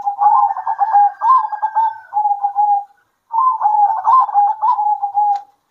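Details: Local zebra doves singing back and forth at midday, two long phrases of rapid soft cooing notes with fluttering trills, each phrase ending in drawn-out coos, separated by a brief pause.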